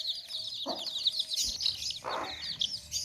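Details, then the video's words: Brief burst of constant high chick peeping from a basket of baby chicks, the thin chirps running together, with two lower, rougher clucking sounds. "Baby Chicks Chirping Sounds In Tokri | Chicken's Chicks Sounds and Chickens Clucking Sounds"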